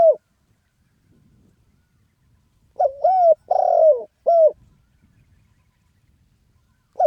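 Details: Thai spotted dove giving a khan yon cooing phrase: a short coo, a longer throaty one and a clipped final note, then quiet before the next phrase starts.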